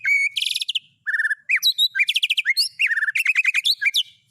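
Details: White-rumped shama song rich in fill-ins of cililin, canary and lovebird: buzzy harmonic bursts, clean whistled slurs and a rapid run of looping chirps, clear with no background.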